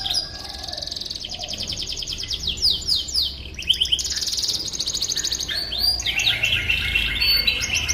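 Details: Canary song for training magpie robins, over a steady hiss of background noise: rapid high trills, descending slurred notes and a buzzy stretch, pitched high throughout.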